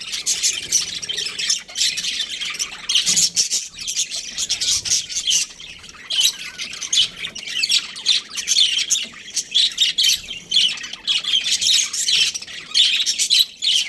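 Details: Long stretch of budgerigar chatter from a breeding pair: dense, high, raspy warbling and squawks pouring out almost nonstop, with a few short lulls.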